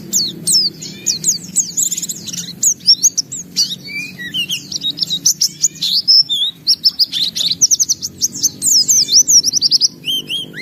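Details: A kept white-eye in sustained full song with open beak, showing its learned repertoire: a long, fast stream of high chirps and whistled slurs with occasional lower downslurred notes, almost without pause.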